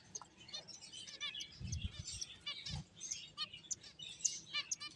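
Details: Finches at play, quietly heard: a dense spray of thin, very high, brief chirps and ticks with soft low thumps and rustling underneath.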